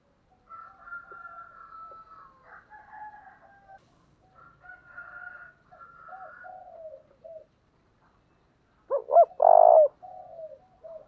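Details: Spotted dove in the 'thổ' voice style, used to fire up other doves, delivering a series of hoarse, throaty coos with slurred falling notes, then a loud, rough burst near the end before softer coos resume.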